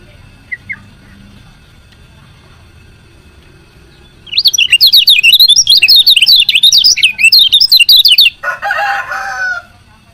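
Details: Chirping of a female lemon-bellied white-eye, a call meant to rouse males into song; after four quiet seconds comes a loud four-second run of quick, high twittering notes, ending in a short broad rustling noise.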